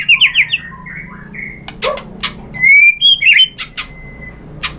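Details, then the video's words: White-rumped shama song used to get other shamas answering: a few quick chirps, a long quiet stretch with clicks, then a sharp rising whistle and a twisting phrase ending in a thin, level whistle. "SUARA MURAI BATU bikin BUNYI jadi NYAUT GACOR BONGKAR MATERI ISIAN ¦ SHAMA BIRD"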